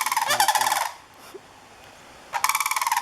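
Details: Two sandhill cranes calling together in the morning before a stand of bamboo. Loud rolling, rattling trumpet calls carry a lower-pitched voice beneath the higher one. A quiet pause follows, then another fast pulsed bugle begins.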